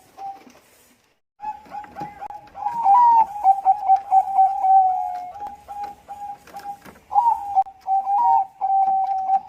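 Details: Bangkok zebra dove song played as a lure for other doves, long series of mellow coos with repeated stretched, rising notes and rolling endings, over faint background clatter and knocks.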